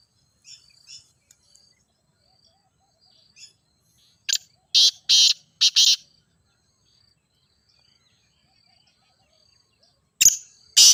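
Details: Grey francolin (teetar), played to make kept birds call: faint thin chirps early, then a burst of four loud, harsh, rasping notes in quick succession, a long quiet gap, and two more grating notes at the end.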